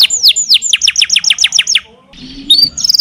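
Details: Canary song with long sustained phrases: a run of about ten steeply falling whistled notes, then a brief pause and higher buzzy trills.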